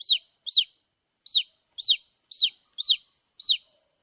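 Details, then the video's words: Baby chicks chirping: high, shrill peeps that slide sharply downward, about seven in four seconds at a slightly uneven pace, with short silences between them. "chicks chirping sound"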